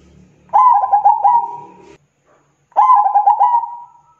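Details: Zebra dove singing a long, persistent song: two phrases of soft, rolling coos held near one pitch. Each is a quick stuttered run of notes that ends in a drawn-out purr, with a short pause between phrases and a faint low hum at the start.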